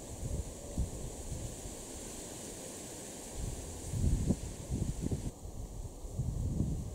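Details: Wind buffets the microphone in low, uneven gusts, with no animal calls heard.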